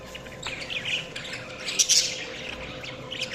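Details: Budgie chirping, softer and more distant, as thin scratchy chatter rising to a brief louder burst midway. A steady background hum is present.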